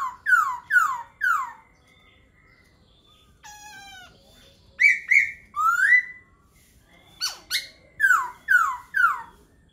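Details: Laughingthrush song: three quick downslurred whistles, a long buzzy nasal note, rising ringing whistles, then a closing cluster of falling whistled notes.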